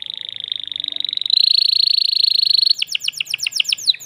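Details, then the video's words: Agitated male canary, caged, singing to prepare a female for mating: a long, steady, fast rattling trill, then a quicker series of sharp downslurred notes. "تغريد ذكر كناري هائج يريد تكسير القفص يحفز الأنثي لتزاوج"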